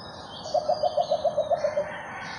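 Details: Philippine coucal call as two birds meet, January 21, 2021: a series of about ten low hooting notes, evenly spaced and slightly descending in loudness toward the end, with faint chirps overhead.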